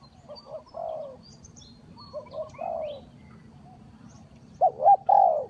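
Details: Lure call of a spotted dove for trapping: soft, low hooting coos in groups of two or three, quieter at first, then a louder, clearer double coo near the end; distant small-bird chirps and steady low background rumble.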